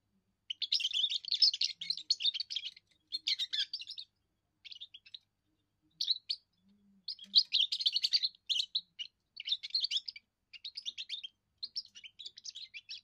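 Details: Young goldfinch's first song, meant to warn rivals off its area and impress females: long runs of fast, jangling twitters and buzzy trills, delivered in phrases of one to three seconds with brief silences between.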